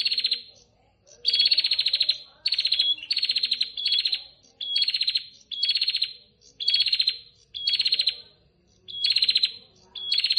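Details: Female prinia calling the male, giving repeated bursts of rapid buzzy pulses, each opened by a short clear whistle, about ten bursts separated by short gaps, with faint background chatter.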